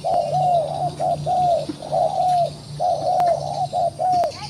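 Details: Wild pigeon caught in a trap and still trying to fight. It gives a run of short, mellow, hooting coos, roughly one a second, in paired bursts with brief pauses, over a faint low steady hum.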